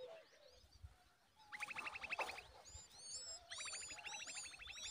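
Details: Common babbler adult feeding a chick a large worm; rapid buzzy rattling series of notes mixed with high, arched chirps repeated quickly, quiet at first, then bursts of intense calling.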